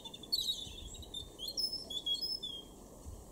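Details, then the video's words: Garden European robin in Weener, East Frisia, Germany, April 2021: thin high whistled notes and sliding phrases over steady low background noise. "Rotkehlchen 0:00"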